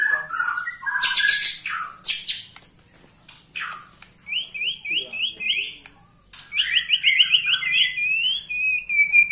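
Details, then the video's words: A 21-year-old white-rumped shama, still singing vigorously, gives scattered sharp high notes, then two runs of rapid repeated chipping notes on an even pitch, ending in a clear whistled note. "Murai batu ini ternyata usianya 21 TAHUN Gaya main masih NGOTOT"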